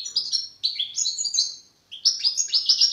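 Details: Short burst of young European goldfinch song in the learning stage: slurred, liquid twittering notes, a brief silence, then a rapid series of bright repeated chips.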